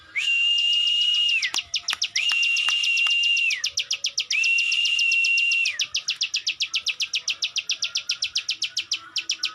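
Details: Plain prinia (known locally as ciwah or klik klik bird), singing strongly: three whistle-backed clicking phrases, each about a second and a half, then an unbroken run of fast, evenly spaced high ticks.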